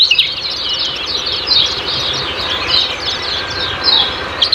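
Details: Kecial kuning ciak-ciak lure song, used as a training recording to stimulate caged birds to sing: rapid, high, sharp chirps and short trills run continuously over a steady background hiss.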